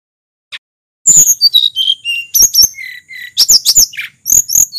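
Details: Sulingan, a local bird of Mount Merapi, giving a vigorous varied song: after one faint note, a fast series of high whistles, sliding upslurs and downslurs and brief trills bursts out with short gaps.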